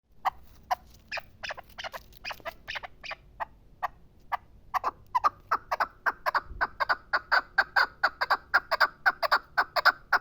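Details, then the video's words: Chukar partridge from the Pamir, giving a long run of sharp, clucking chuk notes, about three to four per second. They start scattered and quieter, then build into a louder, steadier, ringing series over the last half. "Кабки Помир"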